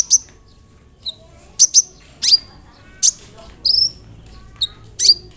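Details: Sunbird (kolibri ninja) song for stimulating other sunbirds to sing: spaced single high notes roughly every half second to second, each a sharp chip sliding downward, with a brief buzzy phrase near the end.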